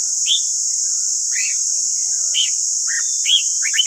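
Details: Red-whiskered bulbul singing in the 'căng lửa' style for training other bulbuls: separate arched whistled notes, then a quicker run of rising and falling phrases toward the end, against a steady loud hiss.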